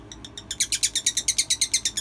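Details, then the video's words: Hen making baby-like crying noises, a rapid series of high, thin peeps at about seven per second, each one sharp and evenly spaced, recorded indoors. "hen making baby noises and crying"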